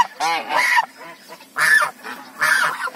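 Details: African geese giving loud nasal honks, three bursts in three seconds, the first with a descending harmonic stack, the others harsher and rasping.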